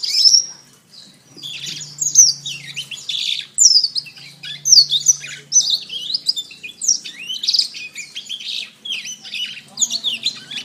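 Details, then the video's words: Canary singing for a songbird training recording: a long, unbroken stream of sharp, high, downslurred whistles and rolling trills lasting over ten seconds, with a faint low hum. "Masteran Terbaik Kenari"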